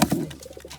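A pigeon gives two low, throaty coo notes in quick succession, then fainter soft murmurs trail off. Indoor room ambience.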